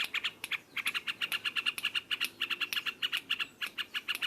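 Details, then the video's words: Yellow-vented bulbul singing loudly in the rapid chattering style called ngropol: fast bright notes repeated about four times a second in dense clusters, with brief gaps and no other clear sounds. "Burung trucukan ngropelpelpel keras"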